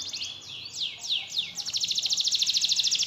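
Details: Canary singing, played to provoke a reluctant canary into song: a few loud descending slurred notes followed by a rapid, very regular high buzzy trill.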